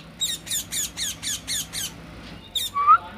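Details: Caged parrot feeding on corn; a steady series of seven harsh, evenly spaced screeches about every quarter second, then one more squawk and a short rising whistle.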